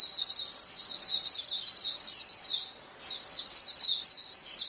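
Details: A white-eye flock keeps up rapid, high-pitched chattering calls, fading to a near pause just before three seconds, then resuming in clipped, bouncy bursts.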